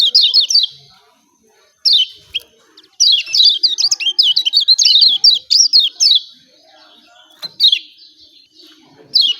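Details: Lemon-bellied white-eye of Lombok uttering energetic 'ciak ciak' calls that prompt lazy birds to sing: quick bursts of high twittering chirps separated by quiet spells, the busiest stretch in the middle.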